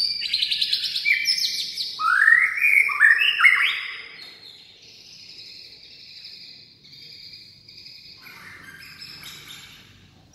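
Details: White-rumped shama performing a rousing song of many phrases: loud, varied whistles, rapid slurred notes and rising sweeps, then softer sustained tones and scratchy chatter, in a quiet setting.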